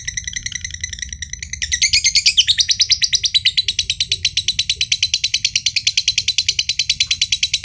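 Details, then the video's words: Green standard-colour (josan) lovebird, a prized competition bird, in a long ngekek trill said to make other birds join in: quieter chattering builds into a loud, fast, buzzy run of even pulses, over a low background hum. "LOVEBIRD JOSAN NGEKEK PANJANG BIKIN BURUNG IKUTAN NGEKEK"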